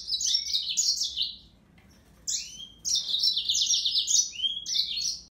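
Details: Song of a Yellow-fronted canary (Serinus mozambicus): lively high twittering phrases mixing buzzy trills and downward-sweeping whistles, a brief quiet break after two seconds, then a longer rapid warbled phrase continuing to the end.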